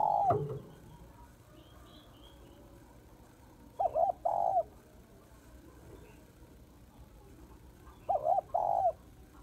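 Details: Female spotted dove calling males, phrases of a quick hooted note then a longer quavering coo, spaced about four seconds apart over a quiet background.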